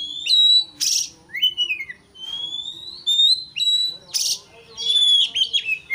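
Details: Singing white-rumped shama played to goad a rival bird into emotional, insistent song; clear high whistles, a descending slurred note, and harsh rasping bursts alternate rapidly.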